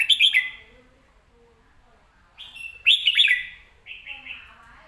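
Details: A caged red-whiskered bulbul delivers loud, quick whistled phrases, bright notes sliding up and down, with soft softer phrases in between and a faint low hum behind.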